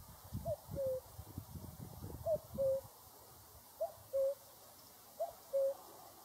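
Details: Cuckoo calling a soft two-note cu-coo, the second note lower and slightly longer, repeated four times about every one and a half seconds, with faint low rumbling noise at the start.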